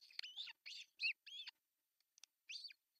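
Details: Osprey at its artificial nest in Pohjois Satakunta, Finland, June 10, 2024, the male bringing a large fish for breakfast; five quick, high, bent chirps in succession, then faint ticks and one more chirp.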